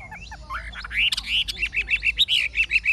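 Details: Caged Chinese hwamei, an old bird from the wild with a true forest voice, delivering rising whistled notes that run into a fast chain of clear repeated phrases.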